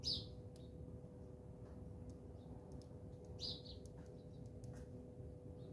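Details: House sparrows at a garden bird feeder in South Africa give two short, bright chirps about three seconds apart, with a few faint ticks and a steady low rumble behind them.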